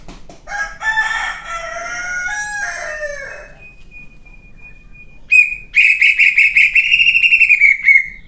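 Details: Greater green leafbird, kept as a singing competition bird, opens with harsh complex mimicry-like phrases, holds a long thin steady whistle, then bursts into a rapid series of loud rolling whistled notes.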